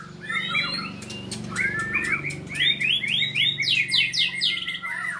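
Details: White-rumped shama at a training and sparring session sings varied whistles, then a series of repeated rising, sweeping notes, with a low hum underneath.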